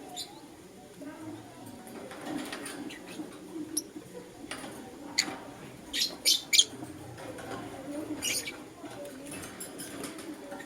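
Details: Lutino lovebird chirping in the morning: scattered short, sharp high chirps, with a cluster of louder harsh notes near the middle and a steady low background hum.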